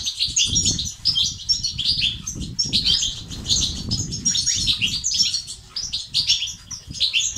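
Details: Continuous, bright, chattering song of European goldfinches, 'bitbita' and 'sts' styles meant to stimulate males to sing, with quick high trills layered over each other and steady low rumbling noise.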